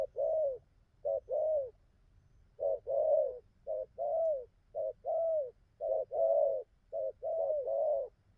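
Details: Newly wild-caught spotted dove cooing well, running paired and tripled mellow coos in quick succession, broken by one short pause before the series resumes.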